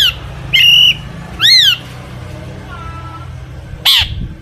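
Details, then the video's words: Long-tailed shrike singing to lure other shrikes into song, with mimicked fill-in phrases; a few loud, separate squawking whistles, some flat and some arched, over steady low hum. "cendet gacor FULL ISIAN buat PANCINGAN CENDET AGAR BUNYI"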